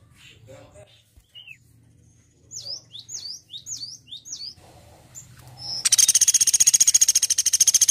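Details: Assorted short chirps and a run of four downslurred whistles from other birds, then the woodpecker breaks in with a loud, fast, high-pitched trill of rapid even notes that carries to the end.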